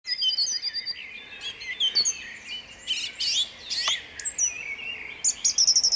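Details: Song thrush singing at dawn in Jabłonna on 29 April 2021: loud, varied high phrases, several delivered as quick repeated notes, following one another with short pauses.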